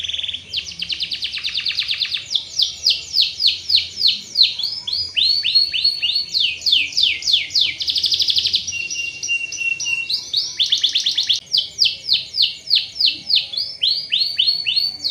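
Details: Canary song intended to stir lazy canaries into singing and rolling: a long, continuous performance mixing fast buzzy trills, runs of repeated descending sweeps and rapid rattling bursts, loud and varied throughout.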